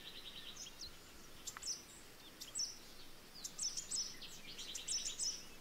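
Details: Malaysian pied fantail young beg with thin, high squeaky chirps in irregular bursts while the female feeds them, alongside a quick dry ticking; steady background hiss throughout.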